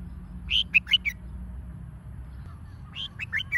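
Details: Red-whiskered bulbul song used to provoke rival birds into duelling song; two brisk phrases of about four clear, slurred whistles each, separated by a two-second gap, low hum beneath.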